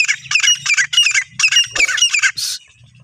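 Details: Female desi grey francolin calling: loud, harsh, grating notes in rapid bursts, about eight in three seconds, ending with a rough hissing note before quiet.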